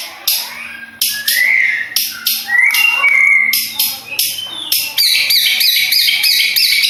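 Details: Madura long-tailed shrike, a bird called king of every competition, giving loud harsh bursts mixed with clear whistled slides, rising and falling, in quick uneven series; a faint steady low hum underneath.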